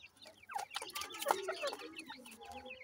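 Grey francolin chicks give a busy jumble of short, high peeps and chirps that overlap quickly with little pause, along with a few lower clucking notes.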